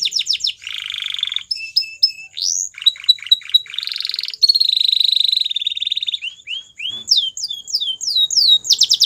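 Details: Belgian canary, a white bird, in varied song: buzzy rolling trills, clipped whistles, a long steady high tour and swift descending sweeps.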